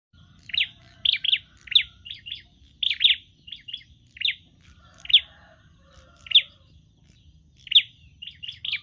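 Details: A prinia, possibly a tailorbird, gives sharp, high chirps, singly and in quick clusters of two or three, about every half second to second, over a faint low hum, apparently fighting fiercely.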